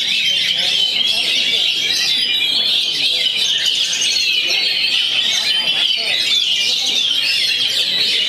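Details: Kacer (white-rumped shama) singing at a bird-song contest ground in Medan: a loud, continuous stream of high whistled and warbled phrases, dense and unbroken, with other contest birds and people talking faintly underneath.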